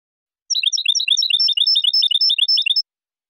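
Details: European goldfinch song from a silvestrismo recording: a continuous, rapid twittering of bright, liquid high notes lasting over two seconds, with a tinkling, jangling quality, against silence.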